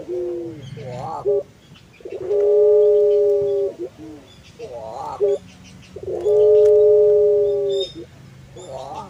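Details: Puter pelung collared dove, a prized cage-hobby breed, repeating its song about every four seconds: each phrase a quick warbling lead-in of rising notes followed by a long, flat, droning coo.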